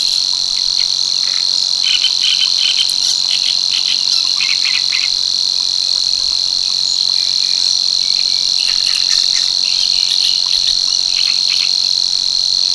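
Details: Strident, unvarying buzz of a Savi's warbler reeling at Tancat de l'Illa in l'Albufera, sustained evenly throughout, overlaid by bursts of sharper chirping from other small birds nearby.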